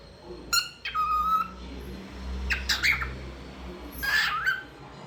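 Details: Singing pet cockatiel: a few chirps leading into a long level whistle, then harsher squawk-like notes and a final downslurred whistle, in a quiet indoor setting.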